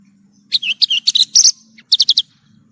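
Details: Lark song for training kept birds: a brief run of slurred chirps followed by four quick identical sharp notes, over a soft low hum.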